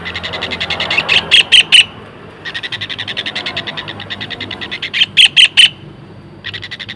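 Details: Long-tailed shrike, tengkek, singing steady fast trains of harsh, evenly spaced notes, each series capped by three or four loud, sharp chattering bursts, the pattern repeating twice with a quiet background.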